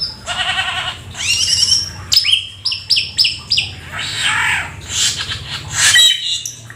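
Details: Rare, exotic Black-winged starling singing gacor with full isian: a buzzy rattling trill, then a row of short downward-slurred whistles, followed by harsh rasping notes and a few clear pips.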